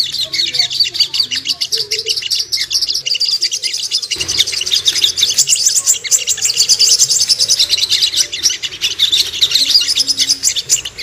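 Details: Ruby-cheeked sunbird song played as a lure to make birds aggressive and aroused: a continuous stream of thin, high, rapid chirps and twitters, with a few faint low sounds early on.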